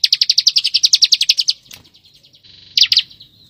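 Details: Ngebren-style song of a bar-winged prinia, recorded for training white-rumped shamas: a quick string of about fifteen piercing chirps in a second and a half, a faint buzzy stretch, then a short loud double note.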